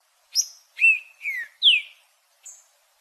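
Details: Trinca-ferro, the green-winged saltator, gives a short song phrase: a high thin note, two clear descending whistles, an upward-slurred whistle, then a faint high closing note; quiet background.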